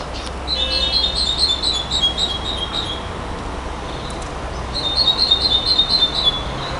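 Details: A nightingale sings two fast rattling bursts of bright, ringing notes, each lasting about two seconds and separated by a pause, over constant low background hiss.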